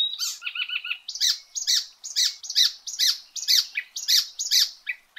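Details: Icterine warbler (kerak basi eropa) gives a quick triplet of short notes, then loud harsh squawky notes repeated about twice a second.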